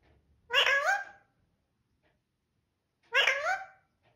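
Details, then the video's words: Talking parrot indoors: two short raspy, word-like utterances about two and a half seconds apart, each with bending, rising-falling tones, in a quiet room. "Parrot speaking mithoo"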